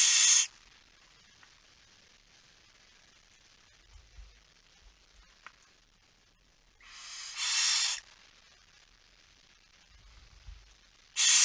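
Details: Night feeding at a barn owl nest, 10 September 2019, 22:45: long silences broken by a few rasping, steam-like hisses, one near the middle and others at the start and end.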